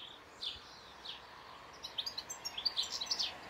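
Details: European goldfinch singing: a few separate high, slurred notes, then a rapid tinkling trill of chirps in the final second and a half.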